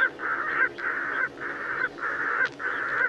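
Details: Pectoral sandpiper song: hoarse, nasal hooting notes, each about half a second long, repeated steadily almost twice a second.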